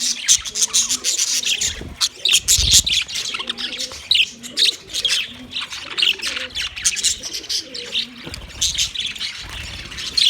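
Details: Chattering budgerigars recorded 9 March 2024: steady high chirps and warbles from several birds, near-continuous over ten seconds, with occasional soft low thumps.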